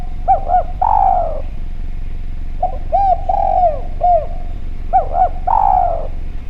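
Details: Spotted dove (derkuku Jawa), a frequent caller with a clear voice, recorded as a lure: repeated phrases of two or three quick arched coos followed by a longer gliding coo, three phrases in all with short gaps between.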